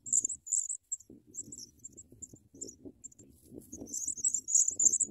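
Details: Sprague's pipit babies fed large worms by a parent bird. Thin, very high squeaks come in scattered bursts, then a denser run of shrill notes toward the end, over low rustling and scraping.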